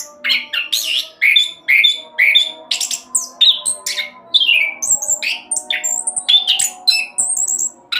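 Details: Orange-headed thrush song meant as a lure to make other birds sing: loud varied phrases mixing harsh squawky notes, sweeping slurred whistles and high thin tones, delivered in quick irregular bursts over a low hum.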